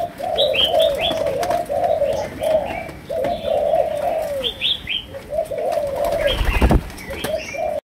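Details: Spotted dove of Malaysian stock cooing in chiêu gù, sấm đồng style: short, low, husky phrases broken by brief pauses. Small birds chirp overhead and a dull thump sounds near the end.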